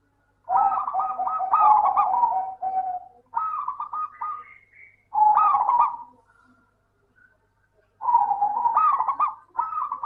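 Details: Local zebra dove song, intended to draw silent doves into singing: four bursts of fast, rattling coos with rising and falling notes, separated by short quiet breaks.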